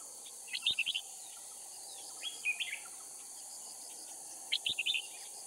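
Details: Decoy red-whiskered bulbul from Cao Phong sings during bulbul trapping in Kim Bôi, Hòa Bình, Vietnam: two bright, chattering phrases of quick rising-and-falling notes with a softer trill between, over constant insect buzz.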